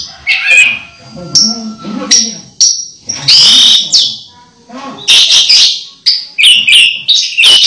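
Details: Close to moulting, an Orange-headed thrush keeps singing hard: bursts of rich, varied whistles and twitters broken by short pauses, some phrases sharp and high, others warbled, with soft low background sounds.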